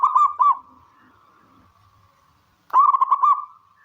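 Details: Local zebra dove calling, offered as therapy for doves reluctant to sing: two short bursts of rapid, clipped coos framing a long, faint steady tone.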